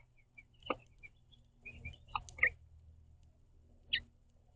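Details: A pair of house finches at a backyard seed feeder, communicating with each other: scattered, sharp, high chirps, some soft, with a louder double chirp mid-way and one final clear note.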